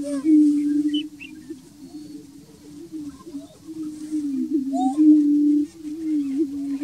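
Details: At the Bledsoe Ranch lek, greater prairie-chickens keep up a loud, low, moaning hoot chorus that swells and fades, with scattered short high squeaks and chirps above it.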